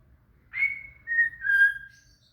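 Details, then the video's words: Shama (murai) song used as training material for a cililin: three smooth, pure whistled notes, each slightly lower than the last, over a faint low hum. "SUARA MURAI"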